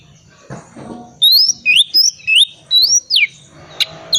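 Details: Oriental magpie-robin in ngriwik-style song, intended to stir silent magpie-robins into singing: a string of loud, looping whistled notes sweeping up and down, about three per second, with soft background knocks.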